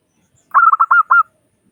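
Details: Local Zebra dove sounding to prompt other doves to call: one short phrase of five bubbling coo notes, quick at first then two longer clear ones, in silence.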